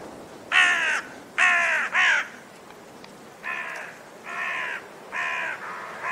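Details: Raven giving seven harsh, nasal caws of about half a second each, loosely grouped in twos and threes with short gaps, over a soft steady hiss.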